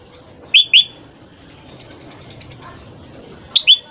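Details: A red-whiskered bulbul gives a morning song for voice training, meant to spur other bulbuls to sing: two brief two-note whistled phrases about three seconds apart, with faint hiss between them.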